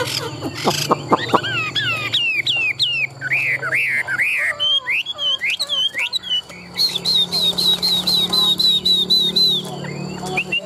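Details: Tame, large-bodied Chinese hwamei, a good contest singer, in a cage. Varied song: abrupt sharp notes, then repeated falling whistled slurs, then a long run of quick high rising-falling notes with buzzy background sounds.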